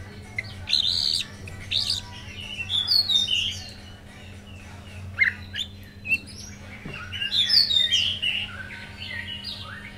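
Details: White-rumped shama after one moult delivering loud bursts of high, varied chirps and slurred whistles, separated by brief pauses, with a steady low hum behind.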